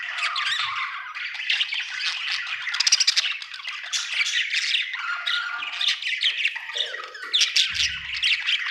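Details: Budgerigar in a happy mood, chattering continuously with quick buzzy chirps, rasping squawks and fast warbled notes, barely pausing, with a faint low thump near the end.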